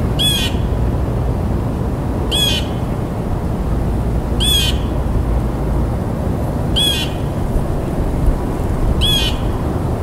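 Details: Blue jay repeating a harsh, nasal jay call about every two and a half seconds, five calls in all, over constant low-pitched background rumble.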